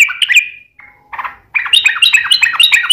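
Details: Sooty-headed bulbul in rapid-fire song, used to draw other bulbuls into singing. A bright chattering phrase is followed by a short flat whistle and a softer note, then a fast run of lively warbled notes.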